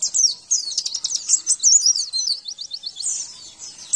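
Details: Javan white-eye training song meant to make kept birds reply and sing again: dense high-pitched chattering twitter with quick buzzy trills and slurred whistles running throughout.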